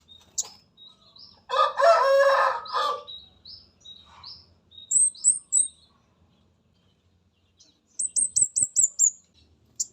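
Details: Mountain spotted orange-headed thrush used as a lure recording: very high, thin notes sliding upward in quick series, with a burst of loud broadband rattling noise early on and a closing run of rapid descending chirps.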